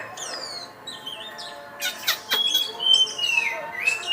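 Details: Oriental magpie-robin, a contest champion, giving quieter thin whistles and a clear sustained high note among scattered chirps and faint background chatter.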